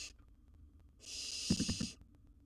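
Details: Young wild barn owl in its nest box with gerbil prey, one harsh hiss of about a second with low knocks and thumps beneath, after the tail of an earlier hiss.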